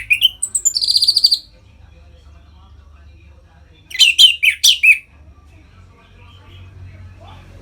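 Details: Orange-headed thrush ngeplong song used to bring caged birds into breeding mood: a buzzy trill opening, quiet spell, then a short burst of five sharp, high chirping notes.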